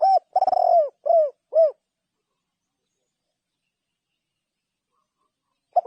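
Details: Spotted dove: one cooing phrase with a rolled trill and falling coos at the start, then long silence and the faint onset of the next phrase at the very end.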